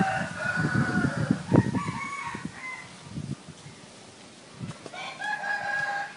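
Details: A kept ornamental red junglefowl (Gallus gallus) gives two hoarse, clipped crows, each about a second long with a short gap between, over low rumbling noise and thuds.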